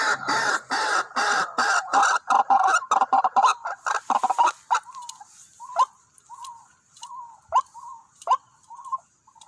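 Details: White-breasted waterhen calls at a decoy trapping spot where two birds came in: a loud, dense burst of harsh overlapping notes, then short croaking notes repeated roughly every half second, with a faint steady high hiss.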